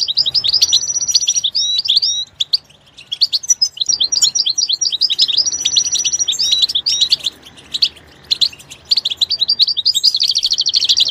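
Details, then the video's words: Goldfinch singing in its natural environment: a dense, rapid twittering of high, bright chirps and trills with short tinkling phrases and brief pauses, ending in a fast buzzy trill. "soothing nature sounds of the Goldfinch will make your bird sing"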